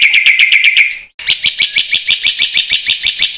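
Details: Black-winged myna singing vigorously as a prompt for other mynas: a quick train of scratchy, whistle-tinged notes, a short break, then a rapid, regular series of harsh buzzy chatters.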